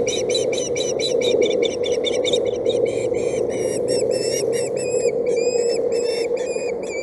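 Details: Osprey chick at a Boulder County nest cam on 8/7/17, objecting as its mother brings a stick instead of fish: a rapid series of thin, squealing whistled notes, some upslurred, over a constant low hum.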